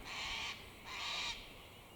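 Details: A sulphur-crested cockatoo (Cacatua galerita) extracting pine nuts from stone pine cones gives two harsh, raspy screeches, each about half a second long, with a brief pause between them.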